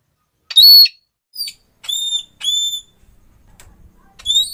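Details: Red-cheeked parrot calling loudly, a sound claimed to stir other parrots into noisy calling: piercing, high, whistled 'klee' notes repeated about six times in under five seconds, with a faint low rumble in the pauses.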